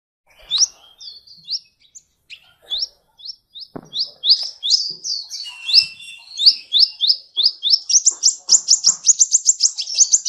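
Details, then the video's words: Master training song of a sunbird for cage birds: sparse, scattered high notes at first, building into faster twittering and ending in a quick trill of stacked rising notes, with faint clicks beneath. "Masteran Terbaik Kolibri"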